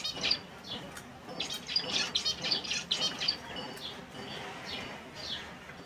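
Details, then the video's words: Several finch species chirp and tweet together: bright, high, clipped notes fall in irregular bursts of about four per second, some with short downward slurs, over a soft steady hiss. "Sounds of Finch Birdssong || ফিন্চ পাখির শব্দ || ফিন্চ পাখি কেমন করে ডাকে"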